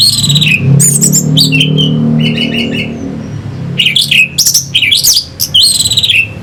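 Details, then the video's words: Orange-headed thrush song played as a lure to excite fighting birds: loud clusters of scratchy, buzzy notes mixed with downslurred whistles, broken by short pauses, over a low rumbling hum. "Pancingan SUara ANIS MERAH Pembangkit Figther Burung"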